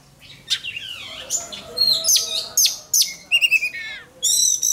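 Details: Oriental magpie-robin in singing contest training, pouring out a rich medley of swooping whistles, harsh rasping notes and a fast stuttering trill, phrases tumbling one after another.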